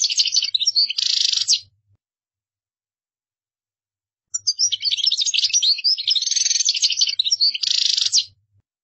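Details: European goldfinch singing in the qdara style, offered as a model for other birds to learn by copying; two bursts of fast liquid twittering and buzzy trills, high-pitched, separated by a long silent pause.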